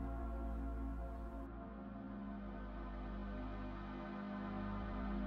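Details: Steady ambient synthesizer music with sustained low drones and layered tones throughout, no animal sound present.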